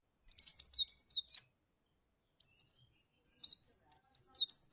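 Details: Cinereous tit (glatik batu) lure call: a long burst of high chattering notes and brief whistles, then a gap of about a second followed by shorter whistled and chattered phrases.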